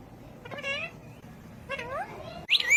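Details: Talking ring-necked parakeet gives two drawn-out, slightly falling nasal syllables about a second apart, then a loud, shrill, rising squawk at the end.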